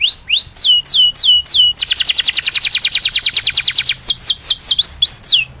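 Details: A canary sings to tutor young birds: several descending whistled notes, a long, fast, high-pitched rolling trill, then a return to slurred whistles.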